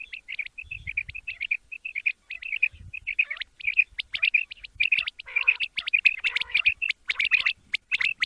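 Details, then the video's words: Quail call played for morning use: a fast train of short, clipped chirping notes about twice a second. In the second half it grows denser and busier as other overlapping chirps and squeaky calls crowd in. "Amazing batair ka kartab daiken | latest chukion wali awaz subha k liye"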